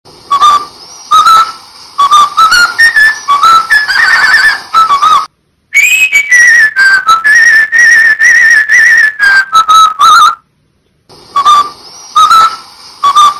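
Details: A cockatiel whistles the Pink Panther theme in clear, pure notes that step up and down in short phrases.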